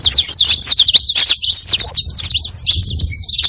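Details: Saffron finch song, played to attract other birds: rapid, high, twittering chirps in quick bursts with a short pause past the middle and a few clear whistled notes near the end.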